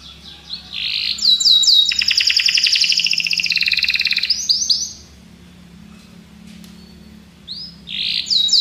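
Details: Singing Belgian canaries: after a soft start comes a fast, steady trill lasting about three seconds, then a quiet gap before the sweeping phrases resume, over a faint low hum.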